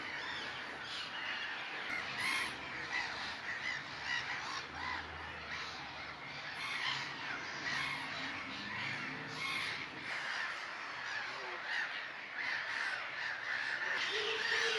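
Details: Black-headed gulls in April on a Brownsea Island lagoon, England: a dense, constant din of harsh, grating gull calls from a noisy colony, with terns, shelducks and other distant seabirds mixed in.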